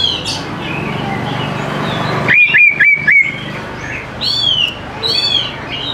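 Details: Greater green leafbird song played to coax young birds into singing; after a quiet start, four loud clipped whistles repeat rapidly, then rising and falling arched phrases follow.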